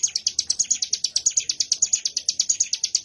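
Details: A mountain prinia (ciblek gunung) sings in bren style, rattling off rapid high notes at a brisk, regular pace with no other sounds.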